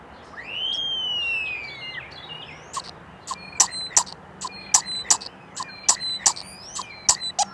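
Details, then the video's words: Starling mating call recorded up close with a Zoom recorder: a long clear whistle rising then slowly falling, followed by a quick run of sharp clicks and short high notes. "Starling Mating Call up close"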